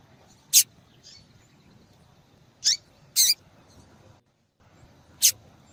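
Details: Female double-collared seedeater calling insistently to stimulate males; sharp, very high chips, one with a descending slur, four loud notes and faint softer ones at uneven spacing over light background hum.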